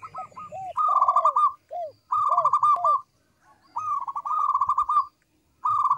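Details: Local zebra dove singing as a lure for other zebra doves: clear, melodious trilled coos with short rolling bursts and brief downward-curving notes, phrases repeated with short pauses, quiet background.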